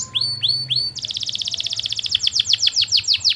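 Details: Canary master song for prompting other canaries to answer. Three drawn-out rising whistles give way to a long, fast trill of descending notes, with a soft low hum behind.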